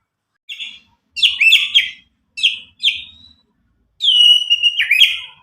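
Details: White-rumped shama from Medan, roughly nine months old, recently out of juvenile plumage and untutored, singing loud clear song: short high whistled notes and buzzy bursts, then a long sustained whistle.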